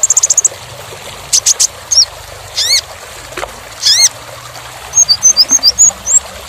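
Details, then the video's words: Sunbird known as kolibri ninja, recorded for training songbirds: a fast trill of very high notes, buzzy clusters, arched harmonic chirps, then a rapid string of thin rising and falling whistles. "KONIN (Kolibri Ninja) Masteran Full Materi Mewah Isian Rapat Panjang"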